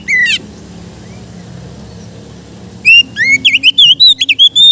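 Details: Kept Oriental magpie-robin (kacer) singing relaxed 'ngeplong' style for training other birds: a short whistled note, a long quiet gap, then a rapid run of loud, clear, sliding whistles and chirps.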